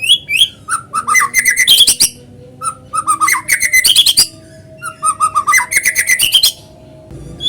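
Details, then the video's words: White-rumped shama (murai batu) song used to lure other shamas into singing: three bursts of varied whistles and rapid sharp repeated notes, separated by short pauses. "PANCINGAN BURUNG MURAI GACOR SUARA ALAMI BIKIN MURAI BATU IKUT BUNYI"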